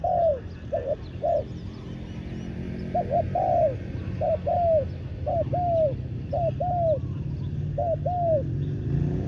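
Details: Decoy spotted dove calling to draw in wild doves; gentle repeated phrases of clipped double coos ending in a longer downslurred note, roughly one phrase per second at times, over low background rumble.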